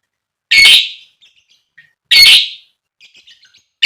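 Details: Lovebird calling out to others, used to spur rival lovebirds to sing: two loud grating shrieks about 1.6 seconds apart, soft twittering between them and a third shriek starting at the end.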